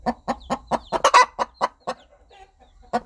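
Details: Mother hen calling her chicks: a run of evenly spaced soft clucks, two rougher louder notes midway, then a short pause before clucking resumes.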